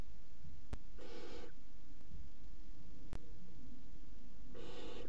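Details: Barn owl chicks, three young, feeding on a mouse together at 01:30 on 30 June 2016. Two rasping, breathy hisses about half a second long come several seconds apart, with soft clicks between them.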